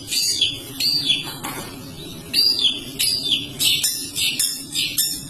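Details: Long-tailed shrike in full, dense song with long varied material, played as a lure for other birds: bursts of scratchy high chatter and sharp whistled phrases about once a second, separated by brief pauses, over a soft low background hum.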